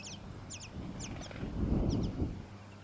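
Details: Tawny-crowned honeyeater in Victoria, Australia, September 2017: a few paired high notes swooping sharply downward, spaced about half a second apart, with a swelling low rumble.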